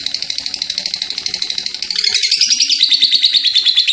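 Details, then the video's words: Vocal lovebird delivering a long ngekek chattering run, a fast train of rasping high pulses that starts moderate and swells louder after two seconds, edging a little higher; faint low background hum. "Love Bird gacor ngekeek panjang"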